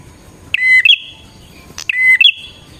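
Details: Two loud bar-winged prinia phrases, used as a lure for wild birds, each a hard click, an even high whistle and a bright trill running into a drawn-out thin note. A short click falls between the phrases.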